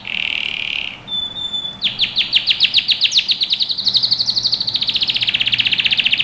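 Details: Singing canary for young-bird training: a buzzy note and a brief pure whistle lead into a long, fast trill of down-slurred notes that climbs in pitch, then steps lower while still rapidly repeating.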